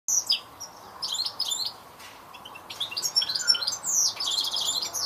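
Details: European goldfinch singing a rapid, tinkling twitter of high, bright notes and short trills, with a brief pause near the middle before the chatter resumes, louder and denser, over faint background hiss.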